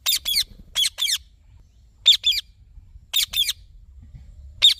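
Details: Green Indian ringneck parakeet giving sharp, harsh high squawks, mostly in quick pairs, repeated in bursts about once a second; quiet rumble beneath.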